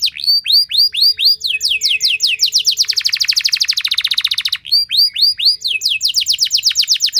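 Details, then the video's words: Singing canary, played as a lure to get other canaries singing: curved, slurred whistles repeated about twice a second, speeding into a fast, loud rattling trill, then back to sweeping whistled notes. "Langsung Respon Burung Kenari Kondisi Apa Saja Dengan Pancingan Kenari Nembak Panjang Keras Ini"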